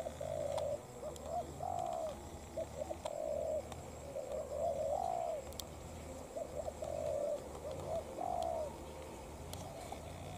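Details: Spotted doves, a decoy bird challenging a wild bird in a fight: low hoarse cooing phrases, a short double note then a longer drawn-out coo, repeated steadily through the stretch over a constant low hum.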